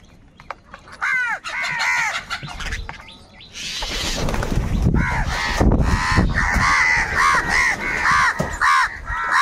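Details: Crows fighting over food: quick harsh caws at the start, then a burst of broadband noise, followed by a rapid chorus of overlapping caws from several birds.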